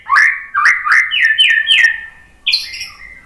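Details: White-rumped shama singing, played to prompt birds to answer: a run of strong rising whistled notes, each stepping slightly higher, followed by a brief pause and a bright high flourish.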